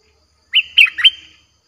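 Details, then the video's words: Lure song of a streak-eared bulbul for wild birds: three loud, liquid, slurred notes in quick succession over about half a second, with no background sound. "เสียงนกดอกแตงEp.98เสียงดุดัน เปิดต่อนกป่าตัวดุๆ"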